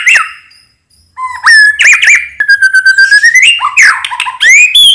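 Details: White-rumped shama of the Medan type, singing heavily as a lure and training song full of varied phrases: a falling whistle, a pause, then loud bright whistles, rising slurs and rapid chattering notes delivered in quick bursts.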